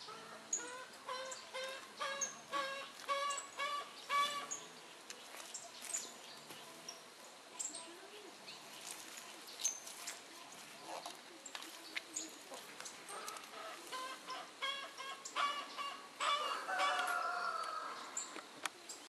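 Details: Green-chinned euphonia (Euphonia chalybea) feeding in a jerivá palm near RPPN das Araucárias Gigantes, Itaiópolis, Santa Catarina, Brazil, gives harsh, nasal calls in quick, uneven runs over a busy background.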